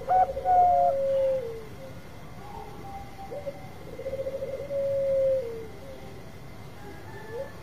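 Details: Bangkok zebra dove with a long song, used to provoke other birds into singing: a strong opening coo, then a quieter stretch and a pulsed, rolling phrase drawn out into a long, level note.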